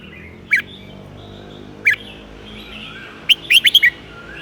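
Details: Golden-voiced red-whiskered bulbul, a teacher bird in southern 'mae bot tai' style, sounds two isolated whistled notes more than a second apart, then ends with a swift five-note bubbly flourish over faint background hiss.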